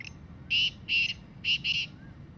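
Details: Black francolin, a free wild bird, calling in jungle: one faint opening note, then four rasping, buzzy notes in an uneven rhythm, set against steady low background rumble.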